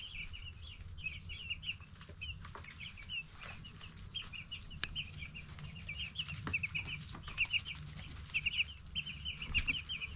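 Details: Young broiler chicks, 10 days old, give repeated thin chirps in loose runs, quieter at first then denser and louder toward the end, with sharp clicks and a faint hum.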